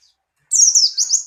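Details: White-eye in breeding condition, kept as a cage bird, giving a loud high-pitched twittering burst of quick rising and falling chirps in two rapid phrases.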